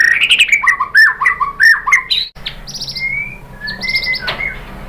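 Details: White-rumped shama song used as a lure to make other birds answer: varied rich whistled phrases with rapid warbling notes, then long clear rising whistles and short sharp chips.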